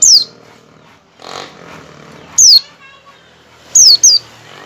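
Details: Ngecal-ngecal calling of an Oriental white-eye, meant to coax other white-eyes into singing: thin, piercing whistles that sweep steeply downward, given singly and then as a quick pair, with faint background rustle between notes.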